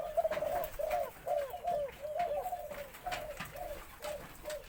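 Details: Full four-kuk khan yon crowing of a white-coloured Spotted Dove, deep medium-to-large voice, played back: a steady chain of low mellow coos, some doubled, about two to three each second, with faint background clicks.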